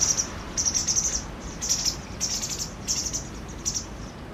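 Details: High-pitched chirping from a white wagtail pair rearing five chicks after they left the nest; sharp, thin notes given in fast trills and clustered bursts roughly every half second, fading slightly toward the end.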